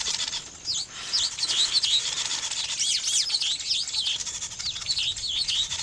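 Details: Weaver birds calling during nest building: bright, looping high chirps repeated over a hissing background of constant twittering from many birds.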